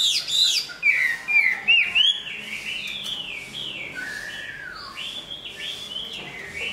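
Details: Large-bodied Chinese hwamei, a strong singer and fighter, finishing its new plumage. Loud clear whistled notes slide up and down for two seconds, then a softer run of rising and falling whistles continues.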